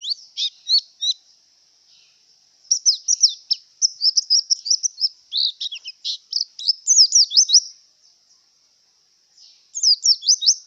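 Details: Javan white-eye in breeding condition singing high-pitched, rapid, twittering phrases of downward-slurred notes, broken by brief pauses, the longest phrase running several seconds; setting quiet.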